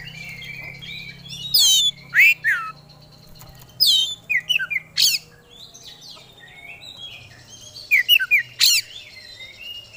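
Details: Kacer, the oriental magpie-robin, in lively gacor singing that displays its isian fill-ins: twittering whistled phrases broken by loud, sharp, scratchy notes roughly every two seconds, with quieter warbling between them.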